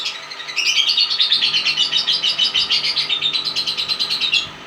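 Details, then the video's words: Lovebird giving a long 'ngekek' chattering song: a rapid, unbroken series of sharp, high chirping notes, about nine per second, held steady for nearly four seconds before stopping. "love bird balibo ngekek panjang"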